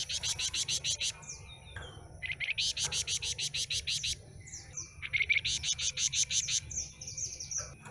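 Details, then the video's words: Flamboyan with a stumpy tail, fresh from a bird dealer's batch, pours out long rapid trains of sharp high chips, mixed with brief whistled slurs, almost without pause against a steady thin background whine. "Suara Asli Kicau Flamboyan Ekor Buntung"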